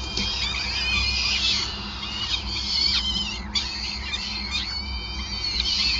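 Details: During feeding at a peregrine falcon nest in Groningen, Netherlands, 5 May 2020, layered high wailing and squealing calls run almost nonstop, with brief pauses and a steady low hum beneath.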